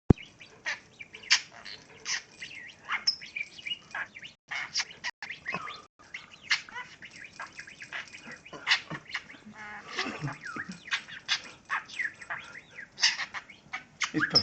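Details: A male pet budgerigar on a perch in his cage, pleasuring himself, chatters in a fast, continuous warble of squeaky, buzzy and whistled notes.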